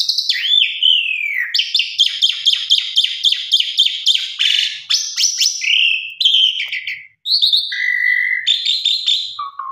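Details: Female Asian pied starling calling to a male, used as a lure: a sweeping whistle, then rapid repeated high chips, harsh rasping stretches and flat whistled notes, loud and continuous with one short pause.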